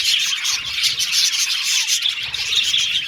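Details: Aviary budgerigars singing and chirping, a short burst of thick, high-pitched warbling chatter from many birds.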